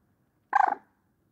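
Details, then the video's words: A single harsh, gurgling 'krrruk' call from a common moorhen (Gallinula chloropus), rapidly pulsed and about a third of a second long, in a quiet background. "Gallineta común (Gallinula chloropus) Canto y Reclamo"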